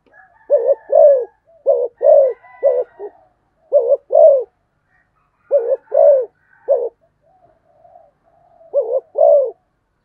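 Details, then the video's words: Spotted dove delivering fast cooing, several bursts of paired deep coos with brief gaps, faint high whistling notes in the background. "cu gáy thúc gù tốc độ"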